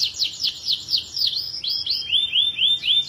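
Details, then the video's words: Canary singing energetically in a long-running song meant for tutoring other birds: fast series of high, swooping whistled notes, each sliding down, shifting into smoother arched whistles repeated about four times a second. "Burung Kenari Gacor Durasi Panjang Pas Buat Masteran l Canary BIRD SINGING"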